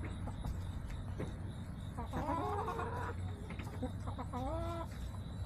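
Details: Backyard chickens filmed on September 21, 2024, with faint quavering clucks and a couple of short descending squawks over a constant low rumble and clicking noises.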